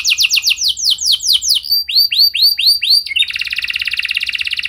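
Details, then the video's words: High, bright canary song used as a lure to get other canaries singing: quick series of bouncing downswept chirps, then slower rising-falling whistled notes, ending in a dense buzzy rolling trill. "Langsung Nyaut Gacor Dor Kenari Mana Saja Dengan Pancingan Kenari Lagu Mewah Ini"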